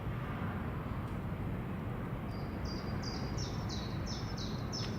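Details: Great spotted woodpecker calling at Leiderdorp in the Netherlands, a string of around eight short, piercing, high-pitched notes repeated at a brisk even pace, with a constant low background hum.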